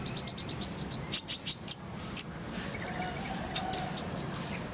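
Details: Kolibri ninja (purple-throated sunbird) tutor song with clear voice: a quick series of high sharp chips, a few louder slurred whistles, then a fast trilled burst and descending thin notes.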